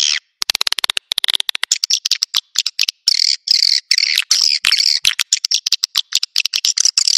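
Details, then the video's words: Swiftlets lured to nests with this Naga Merah call: an opening volley of very fast ticking clicks gives way to dense, buzzy chattering chirps that run almost continuously. "Suara Burung Wallet Naga Merah"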